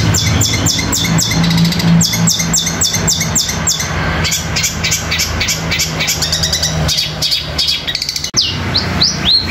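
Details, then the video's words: Long-tailed shrike song in the fighting-sparrow style (gereja tarung), mixed with nature sounds: rapid streams of sharp chirps and downslurred whistles, densely repeated, over a steady low hum. "Cendet suara gereja tarung kombinasi materi alam gacor roll speed tembak"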